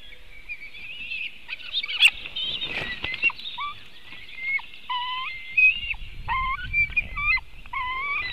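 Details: White-tailed eagle at its nest in Latvia, picked up by a nest webcam in 2018: a run of short, clear, flat tonal notes with rich overtones, some stepping up in pitch, with a steady high hiss and a few knocks behind.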